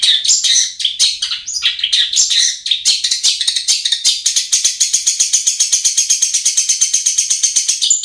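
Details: Long-tailed shrike song used as a lure for birds that will not sing: opens with varied harsh, scratchy phrases, then settles into a long, very fast, even rattle of high ticking notes.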